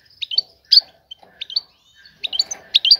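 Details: European goldfinch female calling to lure the male for mating; short bright twittering phrases of two or three quick notes separated by brief pauses.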